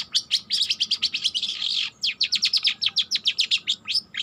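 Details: Long-tailed shrike, a young bird still learning its song, delivering a steady fast stream of sharp high chirps, about five a second, interrupted by a brief harsh rasp.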